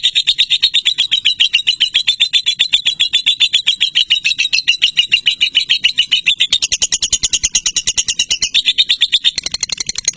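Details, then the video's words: Lovebird singing a long, continuous chattering song: rapid, evenly repeated harsh buzzy notes about twice per second, steady throughout, shifting slightly higher in pitch partway through, no other clear sounds. "Lakbet Durasi TOP Love Bird Joss"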